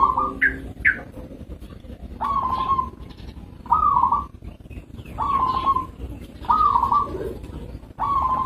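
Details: A local zebra dove repeats short rolling coo phrases about every one and a half seconds, each a quick burst of pulsed notes, with a couple of higher chirps near the start.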